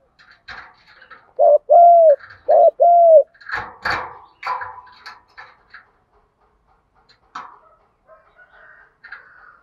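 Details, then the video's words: Spotted dove lure call in fighting-coo style: two clear paired hoots, then clattering knocks and handling noises with soft chirping, the coos stopping. "Tiếng chim cu gáy GÙ Đấu cực chuẩn để kích bổi mới"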